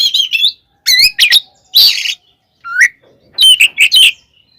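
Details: Oriental magpie-robin 'tarung konslet' song used to stir up other magpie-robins: bright whistled slurs, a long grating buzz, a rising whistle, then quick chattering whistled notes.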